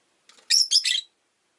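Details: Rosy-faced lovebird, relaxed afternoon: a soft scratchy lead-in, then a loud, shrill, rasping chirp broken into three rapid pulses.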